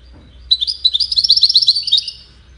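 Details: European goldfinch singing a brisk, jangling phrase of quick high chirps and twitters, bright and slightly scratchy, lasting about two seconds, with faint low background hum.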